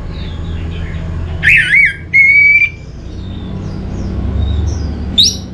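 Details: Orange-headed thrush (anis merah) in a lure recording: a loud, wavering burst of squeaky notes, then a long, level clear whistle, then quiet before one short high note at the end.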